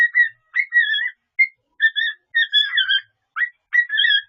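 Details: Pet cockatiel whistling a mixed-up medley of the Pink Panther theme, Darth Vader theme and Mickey Mouse tune in clear, bright, warbling phrases.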